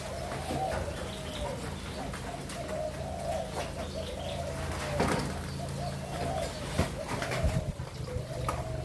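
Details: A spotted dove of a Malaysia–Thailand line, recorded on 27 September 2022, gives soft, low, rolling coos over a steady low hum, with a few sharp knocks and clicks.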